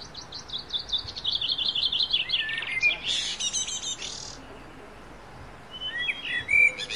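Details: Wild niltava singing at dawn in forest: a high, thin song of rapid chattering and twittering notes, then a brief burst and a few quieter high phrases near the end.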